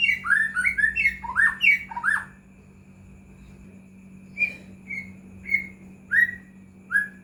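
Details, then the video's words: White-rumped shama lure sound for stirring other shamas to sing: a burst of harsh, squawky rising notes, then after a pause five separate clear whistles about half a second apart, with a constant hum behind. "murai batu gacor AMPUH buat PANCINGAN murai batu agar bunyi"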